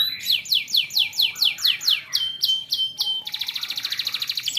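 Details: Young canaries are the audience for this lure song: a run of descending swept whistles about four per second, a few level tones, then a rapid even rattling trill.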